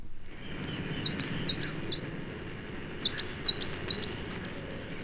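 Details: A coal tit sings in a British broad-leaved woodland in January, a season when coal tits usually sing from conifers. It gives a quick, high, repeated double note, faster and less strident than a great tit's, about two phrases a second, in two bursts over hiss.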